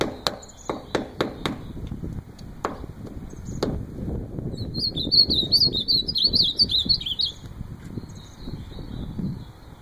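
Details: Ultramarine grosbeak song, a rapid twittering phrase of wavering high notes lasting about three seconds mid-clip, preceded by a series of sharp clicks or taps and a low background rumble.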